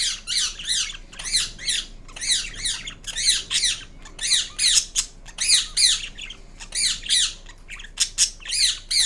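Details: A green Indian ringneck parrot (rose-ringed parakeet), a pet, gives harsh, high, rasping squawks in quick bursts, some doubled or tripled, about fourteen over nine seconds, in a small indoor room.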